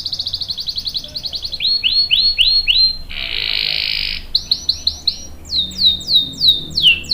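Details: Canary song meant to prompt and train young canaries: fast trills give way to slower series of swooping whistled notes, a harsh sustained buzz, then more looping phrases.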